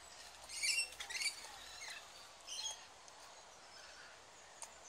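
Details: One of two tiny rainbow lorikeet chicks being hand-fed warm nectar by syringe by keepers at Bristol Zoo gives harsh, raspy, high chattering bursts, a cluster in the first second and another after a short pause.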